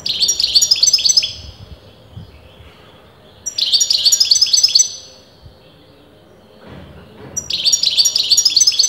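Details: European goldfinch, sex disputed among experienced breeders, singing continuously: three bright bursts of rapid twittering, jingling notes, each lasting about a second or more, separated by short quiet gaps, with faint background hum.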